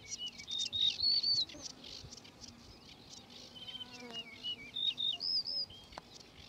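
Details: Two bright whistled phrases from a singing male yellow-breasted bunting, clear flute-like notes rising in steps, separated by a pause with scattered chirps, insect buzzing and a low hum in the background.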